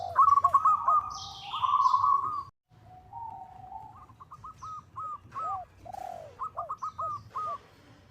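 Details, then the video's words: Local zebra dove calling a rival, used as a lure: two loud rippling trills, a brief gap, then quieter spaced hooked notes in uneven groups, mixed with lower arched coos and a brief high chirp. "suara perkutut lokal memanggil lawan sangat cocok untuk PANCINGAN"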